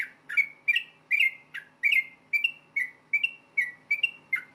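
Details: Yellow-vented bulbul giving a rapid fighting song meant to make other bulbuls answer at once: short bright whistled notes, each with a sharp clicky onset and a slight downward slur, repeated steadily more than once per second.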